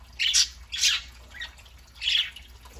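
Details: Pet parakeets on a Saturday morning giving three short harsh squawks, two close together then a pause before the third, with faint warbling between.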